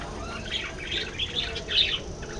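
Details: Budgerigars chirping in short bright bursts, a run of warbled notes around a second and a half long with a louder chirp near the end, over a steady low background hiss.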